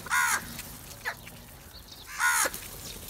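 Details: Crows gathering together over food: two harsh, loud caws about two seconds apart, each short and grating, with quiet outdoor background between them.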